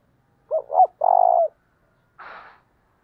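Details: Lure recording of a spotted dove in the hard-driving 'thúc' style: two quick hoots and a long steady low coo, followed by a brief noisy burst.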